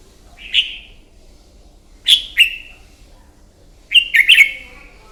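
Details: Red-whiskered bulbul fighting song in the morning, for training a bird: a single warbled note, a double chirp, then a rapid three-note burst, each bright and slurred, spaced over five seconds.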